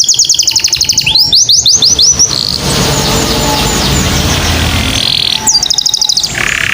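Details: Canary song meant to prompt other birds to sing: a fast high trill and swooping whistles, broken by a long stretch of broadband noise, then more trilling and whistles.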